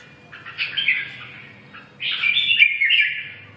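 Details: Red-whiskered bulbul giving two warbled phrases, a slurred rolling note followed after a pause by a fuller, bubbling phrase.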